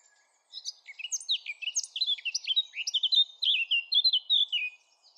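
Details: Eurasian blackcap in lively continuous song. Sharp upswept notes mix with warbles, ending in clear, loud, descending fluty phrases.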